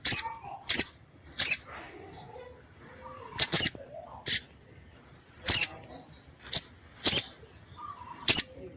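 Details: Female orange-headed thrush calling so that males respond and come into breeding condition; sharp, high snapping notes repeat irregularly, sometimes doubled, interleaved with short thin whistles and soft lower chatter.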